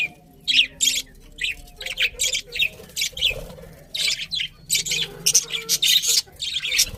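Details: Budgerigars keep up a steady, busy chatter of scratchy, high chirps and squeaky notes in quick irregular succession.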